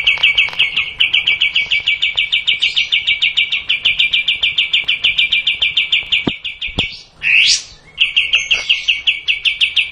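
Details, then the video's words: Kapas tembak bulbul giving a long 'tembak panjang' trill: a rapid, steady run of sharp repeated notes held for about seven seconds, broken by a brief rising squeal before the fast trill resumes. "Kapas tembak panjang"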